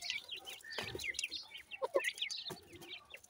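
Grey francolin chicks give a busy chorus of thin, high cheeping notes, overlapping with a few lower, soft clucks and some knocking sounds.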